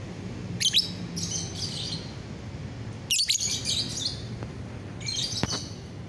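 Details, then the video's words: Lovebird on a bright morning, 30 November 2021, giving bursts of shrill, high chattering chirps at about 0.7, 1.3, 3.2 and 5.3 seconds, with quiet gaps and low background hum between. "pagi yang cerah buat GACORAN LOVEBIRD"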